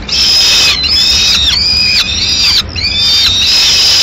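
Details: In Madrid at mid-morning, a female peregrine falcon brings pigeon remains to the nest; strong, continuous wailing cries with rising and falling contours, about five in four seconds, separated by brief breaks.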